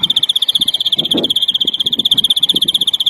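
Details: European greenfinch, larguero-style song from a 2021 tutoring recording: a continuous rapid trill of evenly pulsed notes at fixed high pitch, with soft low knocking sounds in the background.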